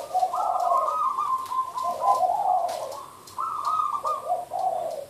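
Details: Zebra dove (merbuk) giving a derak call: a fast, rolling series of stuttered coos that alternates higher and lower notes, pauses briefly, then starts a new burst.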